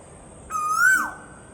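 An Asian koel gives a single clear, hooting whistle that rises slowly and then drops away at the end, over a faint steady high-pitched hum.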